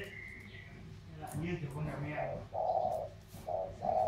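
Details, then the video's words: Spotted doves in a thổ-style cooing contest, Sóc Trăng delta bird versus Cam Ranh mountain bird; a man talks at first, then deep hollow coos come in, a short note followed by a longer one. "Cu gáy Thổ đấu thăng thiên"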